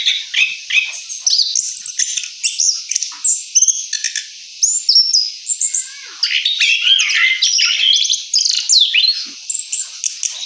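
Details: Orange-headed thrush after moult, singing its rolling 'ngeroll' song: a dense, unbroken run of varied whistles, quick slurred notes and chirps, rising and falling in fast succession with barely any pauses.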